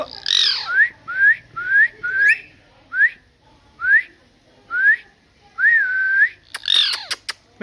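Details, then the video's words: Talking parrot producing a series of about eight short upslurred whistles, evenly spaced, one drawn out with a wavering dip, framed by harsh squawks at start and end and a few quick clicks. "Parrot Talking"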